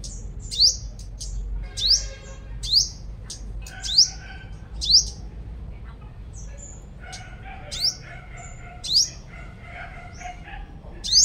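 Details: A five-coloured sunbird from Long Thành, Đồng Nai, recorded as a lure call, gives sharp, high, upslurred chips about once a second, mixed with softer, lower buzzy twitters, over faint background hiss.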